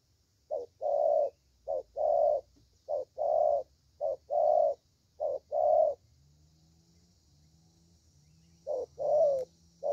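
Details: Spotted dove in Vietnam, a young bird of the 'thổ' voice type. A run of paired coos, short then long, breaks into a silence of nearly three seconds. A faint rising drone fills the gap before the cooing resumes.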